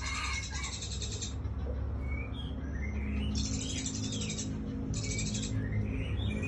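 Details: White-rumped shama, a breeding hen from Aceh, singing: bursts of dense high rapid notes alternating with lower whistled rising and falling phrases, over steady low hum.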